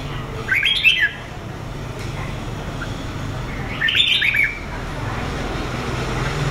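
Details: A Lưới red-whiskered bulbul from Huế, Vietnam, a two-season bird with red patch: two short, bright chattering whistled phrases about three seconds apart, over a steady background rumble.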